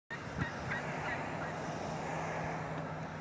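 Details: Wild turkeys in a city give a few short, rattling calls near the start over a steady low rumble of traffic.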